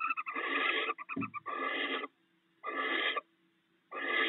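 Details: At the nest, a barn owl pair sharing stored rats: loud breathy hisses around half a second long, one brief stutter of ticking, a low thump, and pauses of silence between the later hisses.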